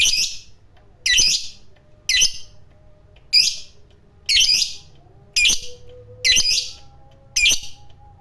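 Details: Lovebird of the fighter type, prized for lively singing: eight harsh, buzzy high chirps spaced about one second apart, each short and rasping, over a quiet low hum.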